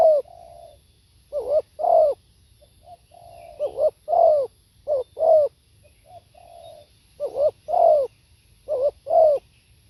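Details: Spotted dove singing live, a repeated cooing phrase of soft flat notes leading into two or three louder, arched throaty coos, the phrase given about four times in close succession.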